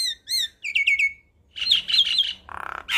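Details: Asian pied starling, a loud male in full song, used as a tutor song for young birds. Harsh squawks and bright chirps with a run of descending whistled notes, then buzzy rasping phrases.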